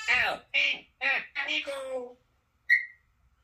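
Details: African grey parrot speaking the Eagles chant in a voice-like series of five syllables with falling tones, followed by a short high whistle after a brief pause, indoors with little background noise.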